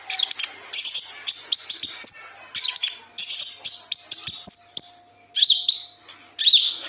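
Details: High, chattering song phrases from a kolibri ninja sunbird, repeated in quick bursts roughly every half second, over a faint steady low hum. Used as a tutor recording for young birds.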